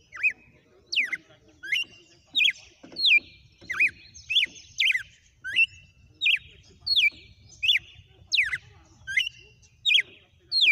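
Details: Captive red-cowled cardinal delivering a steady song sequence: bright whistled notes with sharp down-up sweeps, repeated roughly every three-quarters of a second, some joined by thin high buzzy tails.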